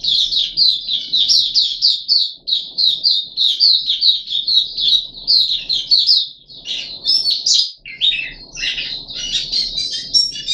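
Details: A puff-backed bulbul on its third day of deworming treatment, 14 July 2021, chatters in a fast, unbroken run of high, scratchy notes that loosen and vary toward the end, with a faint low murmur behind.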